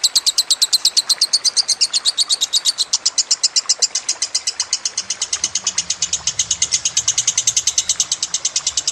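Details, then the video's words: Lovebird training song with a trickling-water backdrop: a sustained rapid stream of shrill, scratchy high chirps, roughly seven or eight a second, continuing without pause; a faint low rumble enters near the end. "Masteran Lovebird Kusumo + Gemercik Air Lebih Cepat Masuk"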